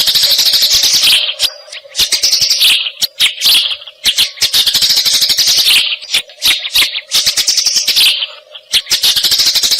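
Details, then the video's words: Eurasian tree sparrow, tutor recording for songbirds; long runs of buzzy, rapid high chatter alternate with short gaps and isolated chips, over a faint steady hum. "Suara Greja Taraung kualitas HD"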